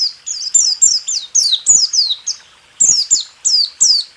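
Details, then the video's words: Caged-bird training recording of white-eye 'rool tembak' song, 2023: high slurred notes, each dropping in pitch, repeated about three times a second, with one short gap midway. "Masteran burung pleci..rool tembak"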